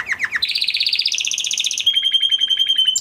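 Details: Huppe (crested) Spanish Timbrado canary from 2020 breeding, kept in a flock, sings a training song: three quick descending notes, then a long rapid pulsing trill rising slightly, switching to a steady metallic sustained tone.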